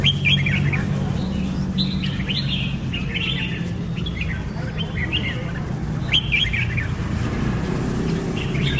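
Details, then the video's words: Red-whiskered bulbul singing short, bright warbled phrases in quick succession with brief gaps, several notes sliding up and down, over a steady low rumble like distant traffic. "Red-whiskered bulbul (Pycnonotus jocosus) Chants"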